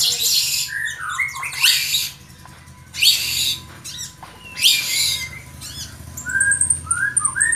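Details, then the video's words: White-rumped shama singing, harsh broadband bursts about every one and a half seconds, separated by short whistled notes and rising slurs; a high thin whistle near the end and a steady faint hum underneath. "Relaksasi suara Burung Murai Batu"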